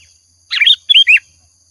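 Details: Sooty-headed bulbul lure song for prompting birds to sing: two short, bubbly, warbled phrases of slurred rising and falling notes, the second clearer and more whistled, on a quiet background.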